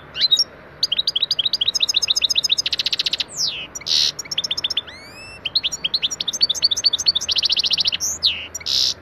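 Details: European goldfinch song played as a lesson for pet goldfinches: energetic twittering, buzzy trills, rising whistled slurs and sharp chirps in varied fast phrases.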